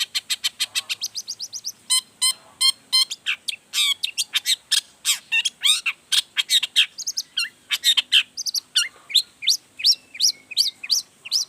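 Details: Long-tailed shrike in full voice, singing a varied repertoire to draw other shrikes into answering: a continuous rapid stream of ticking trills, harsh chatters and repeated upslurred whistles lasting over eleven seconds.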